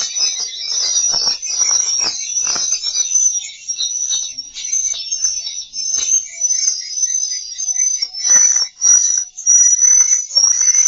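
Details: Swiftlet calls played to draw swiftlets into a bird house to roost: a dense, continuous stream of high, shrill chirping and twittering with rapid overlapping notes, rising and falling in loudness, with brief lower crackly bursts.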